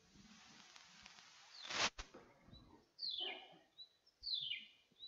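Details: A chirruping wedgebill (Psophodes cristatus) of South Australia, a bird very similar in the field to the chiming wedgebill until heard, gives high, sharply descending chirruped notes about a second apart, with brief thin whistles between; a loud click and faint hiss.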